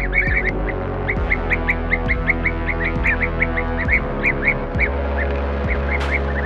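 Blue-tailed bee-eater giving short, rolling, mid-pitched chirps, about three or four a second, over a steady low hum with occasional dull thumps.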